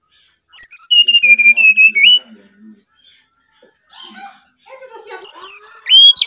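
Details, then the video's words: Brown-chested jungle flycatcher from Bali, in full song for luring other birds: pure whistled notes stepping down from high to lower pitch, a sustained wavering whistle, then more descending whistles after a pause. "Burung Sikatan Rimba Dada Coklat Bali Gacor Nyuling Untuk Pancingan SRDC"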